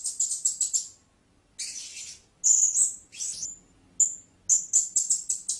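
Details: Very high, thin chirps from a blue-crowned hanging parrot in quick bursts, a harsher buzzy note, drawn-out squeaky notes, then another rapid run of sharp chirps.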